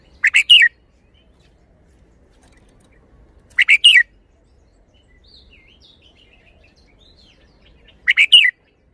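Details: Red-whiskered bulbul showing its song phrasing: three identical rapid phrases of three bright, chirping notes, repeated about every four seconds, with faint thin twittering between them.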